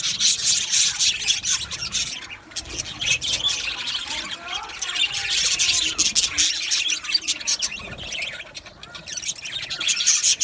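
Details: An aviary colony of male budgerigars, 8 December 2025, chattering without pause: many overlapping shrill chirps, buzzy warbles and short squawks, briefly dipping quieter mid-way before swelling again.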